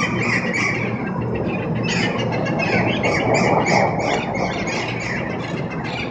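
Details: Wild parrots with orange heads calling after dark in Pasadena, an unusual warbling almost like talking; harsh squawks and squeals repeated rapidly over a steady roar of passing traffic.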